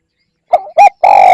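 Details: Spotted dove luring call, a single brief burst: two quick mellow coos followed by a longer, steady, slightly falling coo, clear and close with no other sounds.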